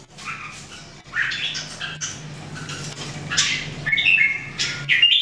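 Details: Three Red-whiskered Bulbuls practising song in 2018 give harsh, squawky notes mixed with bright whistles, building louder toward the end, over a steady low hum indoors.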